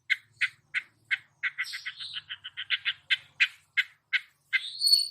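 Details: Long-tailed shrike imitating other songbirds with a varied sequence of sharp chattering notes, a quick rattling middle run, and a closing rising high whistle.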